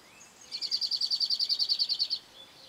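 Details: Cirl bunting (Emberiza cirlus) at Penha Garcia sings a dry, high rattling trill of about sixteen rapid identical notes, steady in pitch and lasting under two seconds, over faint background hiss.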